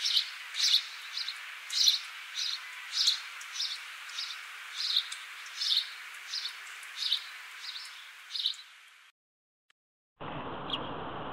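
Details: House sparrow giving short sharp chirps repeated about every half second over a steady hiss, ending in a brief silence and then a burst of rough noise.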